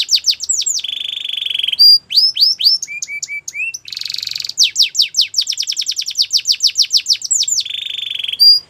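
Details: Russian canary in full song, mixing rapid sweeping trills with steady whistled rolls and a short buzzy stretch, each phrase flowing into the next with hardly a break; loud, clean and close.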